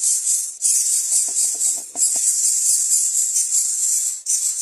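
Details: Greater coucal; begging call; chick competing for food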